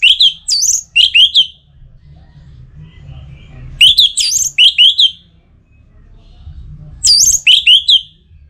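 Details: Orange-headed thrush in breeding condition singing to call a rival: three loud bursts of rapid, slurred whistled phrases, each a string of quick rising and falling notes, separated by pauses of about two seconds, over a faint low hum.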